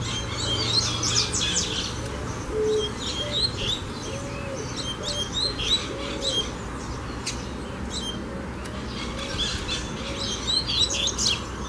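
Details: Double-collared seedeater singing during a song-training session: bursts of high, buzzy and whistled notes repeated rapidly and irregularly, with a faint low cooing and steady background hum.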